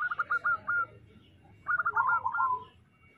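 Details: Short bursts of local zebra dove cooing: a quick series of clipped notes, silence, then an overlapping rolling trill that fades out.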